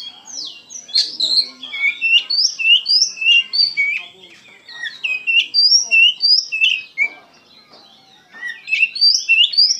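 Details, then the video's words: Caged Oriental magpie-robin in full emotional song: rapid runs of clear rising and falling whistled notes, about three per second, in phrases broken by brief pauses, varied and melodious, with a quiet background. "KACER GACOR PENUH EMOSI"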